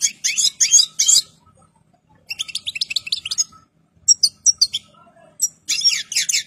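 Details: European goldfinch, ready to breed and in full plumage, sings lively twittering phrases of quick, high chirps and liquid notes in separated bursts with short pauses between them.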